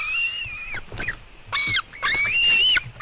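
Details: Female white-tailed eagle eaglet fighting her brother at 16:09: one long high scream falling at the end, a quieter rough stretch, then two loud rising shrieks with crackling edges.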